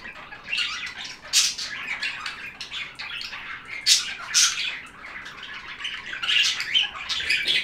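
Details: Several budgies warble busily, giving high, raspy chirps and squeaky trills that come in close bursts, with louder peaks every second or so.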